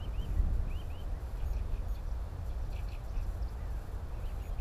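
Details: Northern lapwings filmed during breeding on the Timiryazev field. Three slurred, arching calls come in quick succession within the first second, followed by fainter scattered notes, all over a steady low rumble of wind.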